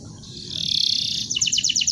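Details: Canary song used as a tutor recording for training birds: a long steady buzzy high trill swelling in loudness, then breaking into a fast series of rapid repeated chirped notes.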